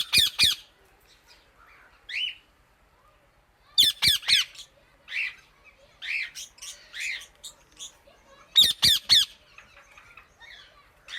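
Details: An Indian ringneck parakeet calls out to other birds with clusters of two or three sharp, harsh squawks spaced several seconds apart, plus single rising chirps in between.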